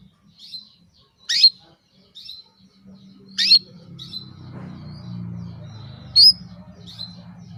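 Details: Female canary calling a male: short high chirps every second or so, three louder sweeping calls among them, over a low steady hum.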